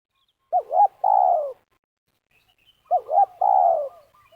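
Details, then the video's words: ['During snare-trap luring in Liwa, West Lampung, Indonesia, a spotted dove gives two meruas-style phrases about two and a half seconds apart, each two brief upturned coos leading into one long, gently falling coo.'] "Pikat Terkukur / Pakai racik / Terkukur Meruas liwa / Belajar Main di Tanah"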